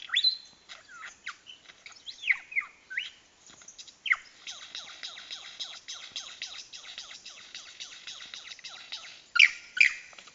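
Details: Courting lyrebird in Dandenong Ranges National Park mimicking blaster shots: loud descending zaps and whistled swoops open the sequence, then a fast buzzy rattle of repeated high clicks, closing with two bright sweeping pew-like calls.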